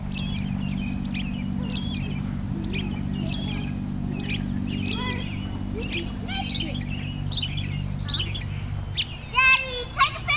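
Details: American robin recorded at Woodlawn, Tennessee, on 13 March 2008. It gives a series of sharp, high, clipped notes about every second, then a faster chattering burst at the end, over a steady low hum.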